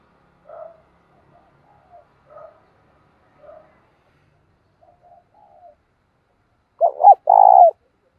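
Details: Spotted dove decoy calling to draw in wild doves: several faint soft murmured notes spaced over six seconds, then a sudden loud pair of deep, rough, wavering coos closing the recording.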